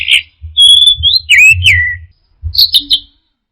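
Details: Orange-headed thrush (anis merah) 'teler' song: a loud pure high whistle, then downward-slurred whistled notes and a brief pause before a cluster of short sharp high notes, with a low hum behind.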